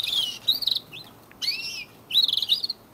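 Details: Domestic canaries kept indoors in the first week of March, at the start of the breeding season, showing signs of nesting and competition. Three bright bursts of high, rapid chirps and short trills, separated by brief pauses.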